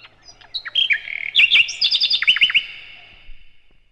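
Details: Sikatan londo, called nightingale, sings a loud master phrase for tutoring cage birds: scattered high chips build into a burst of varied, slurred whistles and quick down-swept notes, then fade to quiet.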